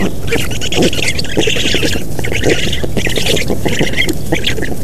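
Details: Black storks at a nest in Estonia, 3 June 2017, on a parent's arrival and feeding, give harsh, rapid squawks in short bursts, over a steady low rumble of wind and microphone noise.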